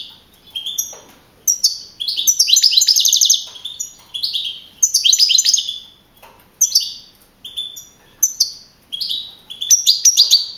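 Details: Champion young European goldfinch singing in a contest at Navalcarnero, Madrid, April 2012. Dense tinkling twitters and rapid trills alternate with short rising and falling phrases, repeated in quick bursts.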